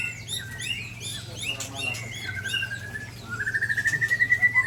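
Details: White-rumped shamas from Sabang, Ujong Pancu and Tangse in Aceh, Indonesia, with the Sabang bird attacked. Soft varied whistles and chips give way to a long, evenly pulsed trill gradually rising in pitch.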